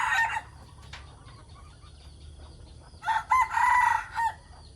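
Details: Decoy chickens in the morning: a crow ends at the start, then quiet with faint background calls, then a full loud crow in several strident, wavering segments.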